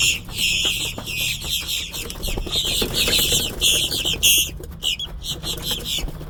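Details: A large flock of blackbirds feeding in a Brunswick, Georgia parking lot on March 3, 2026 keeps up dense, overlapping harsh, squeaky chatter, lifting off in waves, with wingbeats and low traffic rumble.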